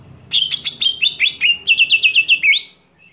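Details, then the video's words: Greater green leafbird giving a provocative scream at other leafbirds, an unbroken two-second string of about fourteen shrill, clipped notes, the later ones quick and almost identical, closing on an upswept note. "JERITAN CUCAK IJO BIKIN EMOSI IJO LAIN"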